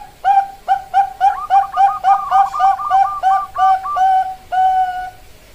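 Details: Bangkok-type zebra dove in full song, a quick run of loud, short coo notes about four per second overlaid by softer rolling trills, ending in two longer drawn coos.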